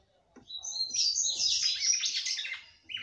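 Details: Captive female red-cowled cardinal singing to stimulate her male, one sustained flowing phrase of high whistled and twittering notes lasting about two seconds, followed by a brief extra note.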